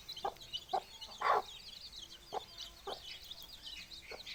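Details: A hen that hatched eggs clucks in short, low bursts, one louder and longer near the middle, among her four-day-old chicks, whose high cheeping peeps flutter constantly in the background.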